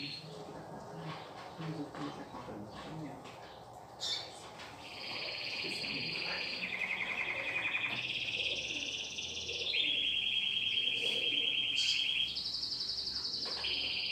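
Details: Singing domestic canary, newly brought into the home for song training: after a few faint notes, long buzzy rolling trills and sustained high whistled tones that shift in pitch, fairly loud and continuous.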